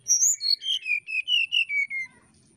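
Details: Brown-chested jungle flycatcher challenging a rival with song: around eight pure whistled notes, each a little lower than the last, in a steady descending cascade lasting two seconds.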